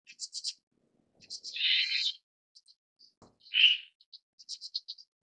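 A Red-billed Starling gives high, thin chirps in quick clusters, broken by two harsh, buzzy rasps. Nothing else is heard.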